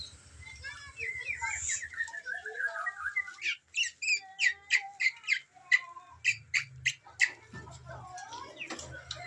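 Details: Magpie-robin: a twittering whistled phrase, then a regular series of sharp ticking notes about three per second, ending in softer mixed whistles.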